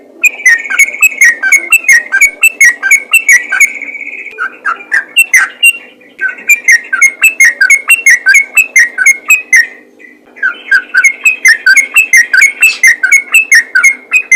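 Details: Sooty-headed bulbul singing vigorously in the rapid 'ropel' manner: long runs of quick, slurred whistled notes at a steady fast pace, broken by two short pauses. Crisp ticking clicks sound alongside the notes throughout.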